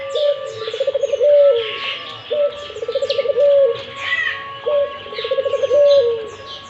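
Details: Low, throaty dove phrases from a Barbary dove that keeps calling, each a pulsing trill flowing into a smooth sustained note, about two seconds apart. Sparrow-like chirps and a faint steady whistle overlay the scene.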